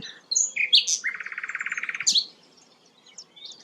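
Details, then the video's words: Sikatan londo, a rare flycatcher, with a few sharp high notes followed by a rapid buzzy trill of about twenty pulses, ending with a clear upward note. "burung langka sikatan londo"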